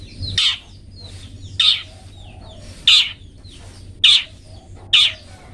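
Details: Long-tailed shrike giving rough, scratchy squawks at irregular intervals of about one second, from a 'toet toet' recording used to train pet birds, with a soft hum underneath.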